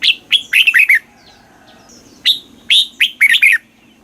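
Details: Red-whiskered bulbul song, southern Thai master style for teaching chicks: two lively phrases of loud, warbled whistles with downward slurs, the second opening with a high squeaky note, a faint soft murmur between them.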